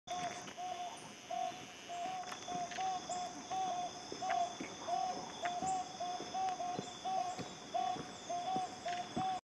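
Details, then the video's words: At Montezuma in Tatamá National Natural Park, in Colombia's Chocó highlands of the western Andes, a pair of Toucan Barbets duet in a steady run of short, hollow honking notes, one or two a second, over a thin high insect whine. "Dueting Choco-endemic Toucan Barbets"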